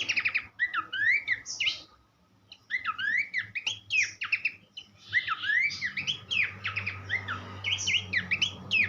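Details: Tutor recording of a Horsfield's babbler for teaching songbirds: energetic phrases of downslurred whistles and rattling trills, a silent gap early on, then a dense continuous medley, with a low background drone.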